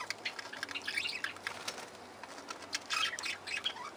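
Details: Parakeets calling in an aviary: a busy chorus of short, bright chirps and twittering notes that overlap throughout, with bursts of wing flapping between the calls.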